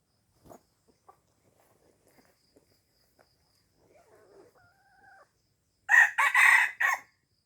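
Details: Red junglefowl from Aceh, recorded to lure wild junglefowl: one loud, harsh crow broken into several short bursts near the end, after a few faint scattered clicks and soft calls.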